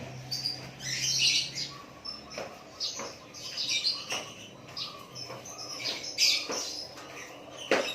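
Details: White-rumped shama singing naturally: high, bright chirps and whistled phrases in short bursts separated by pauses, over a steady low hum.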